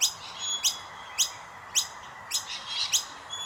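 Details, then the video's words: Begging common myna nestlings being fed by adults: quick, bright, sweeping chirps about every half second to 0.6 seconds, layered with thin high whistled tones, over low steady background noise. "Indian Miner Birds Feeding their babies | Chubby baby birds chirping"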